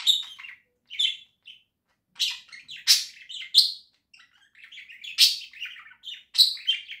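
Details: Domestic budgerigars singing at home in October 2024: a long, uneven stream of scratchy chirps, clicks and nasal squeaks, with several loud harsh notes and brief gaps of silence.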